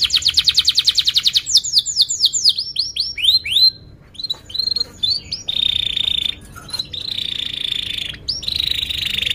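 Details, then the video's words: Canary lure song for training young birds: a fast pulsed trill, cascading descending sweeps, then choppy notes and long even buzzy trills separated by short pauses. "kenari gacor panjang Cuit Cuit EMOSI, Pancingan Kenari Paud Belajar Bunyi, terapi AMPUH Kenari MACET"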